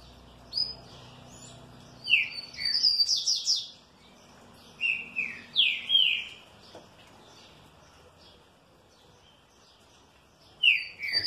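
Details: Green-winged saltator, a well-cared-for trinca-ferro, responding joyfully with rich whistled song: downward-slurred notes mixed with brief higher twittering, delivered in bursts separated by short pauses, ending with one more falling whistle.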